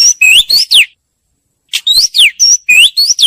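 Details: Oriental magpie-robin song used as a lure recording: loud, clear whistled phrases mixing rising sweeps, falling slurs and steady notes, in two bursts separated by about a second of silence.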